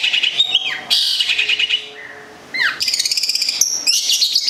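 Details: Kept long-tailed shrike (local cendet, Gedong Songo, Central Java) delivering fast rattling chatter, a downward slurred whistle, a quieter pause with a level whistle, then rapid stuttering high trills and a sharp piping note.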